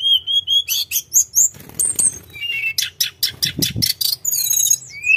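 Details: Sunda robin delivering lively continuous song: repeated level whistles, high twittering figures, a series of loud harsh bursts about every quarter second, then thin high trills. Light soft rustle midway.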